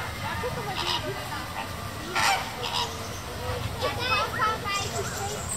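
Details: Captive flamingos at Tierpark Hagenbeck zoo in Hamburg: a few nasal, goose-like honks rising and falling at irregular intervals over a steady low murmur of visitor voices and background noise.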